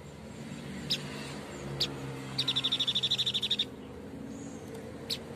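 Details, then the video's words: White-breasted babbler sounding two isolated sharp high notes, then a brisk trill of about fourteen even, high-pitched chips, with a soft background hum. "Tepus dada putih gacor"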